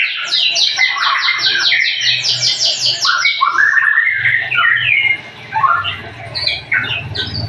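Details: White-rumped shama song: rapid series of rich whistled and chattering phrases, fast repeated notes sliding downward, then varied warbling phrases, with a steady low hum underneath.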